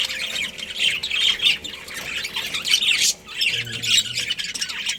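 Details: Pet budgerigar colony chattering: overlapping shrill chirps and squeaky warbles in waves, with a short pause after three seconds and a faint low hum near the end.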